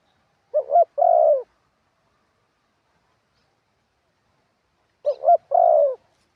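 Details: Spotted dove kept as a ground decoy, its wild-style 'karam pa' song with 'khat' and 'nun': two identical phrases around four and a half seconds apart, each a quick rising double note ending in a long low coo, silence between.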